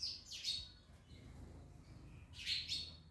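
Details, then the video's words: Parrots eating an orange, with two short bursts of high, scratchy chirps separated by a quiet gap and faint low background rumble. "Parrots Eating Orange (Mian Mithu Eating)"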